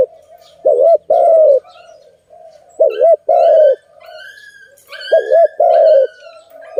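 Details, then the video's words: Zebra dove (Malay dove) at a trapping site giving three loud coo phrases, each a double-humped note then a long falling coo. Higher chirping from another bird overlaps midway. "Lovely dove- Video lovely Malay dove, Sound of good dove"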